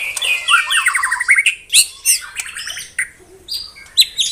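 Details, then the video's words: White-rumped shama in a tembakan song style: a quick jerky chatter of descending notes, then scattered sharp chips and brief high whistles. "Tembakan Rapat Burung Murai Batu"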